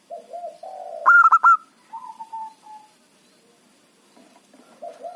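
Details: Local zebra dove singing as a trapping lure: low cooing, one loud staccato burst of four quick notes, then a long, level, fading coo, a near-silent gap, and a faint coo at the end.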